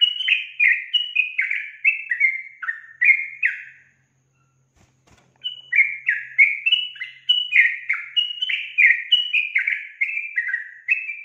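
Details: Female sooty-headed bulbul calling energetically, a call said to make males answer; rapid series of short, slurred, falling whistled notes in a lively chatter, a pause of about two seconds, then the busy phrases resume.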